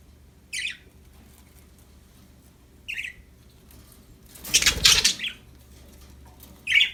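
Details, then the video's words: Happy budgerigars kept as pets let out a few short, scratchy chirps spaced seconds apart, with a sudden loud flurry of rustling, like flapping wings, in the middle. "Happy budgies chirping sound"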